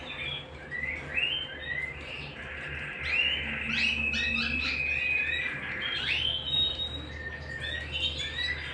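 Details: Canary song recorded at home, a lively run of rising and falling whistled slurs, short trills and chirps that swell in loudness midway, with a low steady hum in the background.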